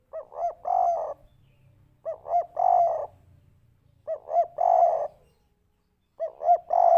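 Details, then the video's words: Spotted dove, three-note 'kuk 3' type, played as a lure; repeated cooing phrases roughly every two seconds, each two short clipped notes followed by a longer swelling coo, over quiet low background rumble. "pancingan burung derkuku kuk 3 putar sebentar saja langsung nyaut"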